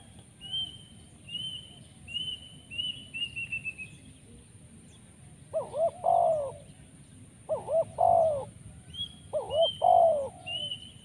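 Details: Spotted dove (tekukur) trapping-lure call in the 'poin penguasa makam' style with many 'rrr' sounds: three clear three-note coo phrases ending in a long falling note, about every two seconds, while another bird whistles high thin slurred notes.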